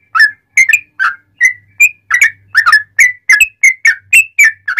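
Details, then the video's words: Tutor song of a sooty-headed bulbul, loud and quick with straw-headed bulbul-like phrases, meant to provoke other bulbuls. Mixed bubbly chirps and a few pure, drawn-out whistles, with a faint low hum in the background. "Kicau Trucuk Buka Paruh Langsung Nguplik Nyambung Ngalas Ropelan Nyaring cucak Rowo'an"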